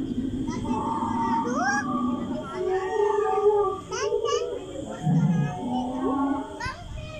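A macaw imitating human talk: short voice-like phrases with rising and falling pitch in a childlike tone, with steady background hum.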